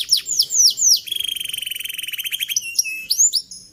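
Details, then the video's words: Training song of a young canary, meant to teach others quick, full singing and long rolls: a few slurred falling whistles, then a very rapid buzzy rolling trill, closing with varied chirped phrases. "Masteran Burung Kenari Paud Agar Cepat Gacor Dan Ngeroll Panjang"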